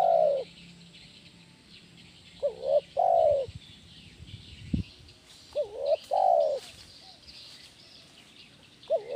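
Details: Spotted dove (tekukur) in kuk 1 gacor song, used for training birds. Two rounds of a brisk two-part note followed by a long, slightly falling coo, with a dull knock midway and soft distant chirps behind.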